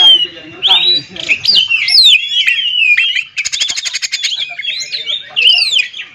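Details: Oriental magpie-robin song intended to trigger singing in other magpie-robins: sweeping whistled phrases and squeaky slurs, a rapid harsh rattling series in the middle, then more looping whistles.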